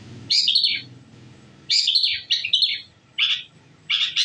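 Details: Shrike song used as a lure to draw answers from other birds: separate short bursts of sharp, squeaky high notes with gaps of near silence between them.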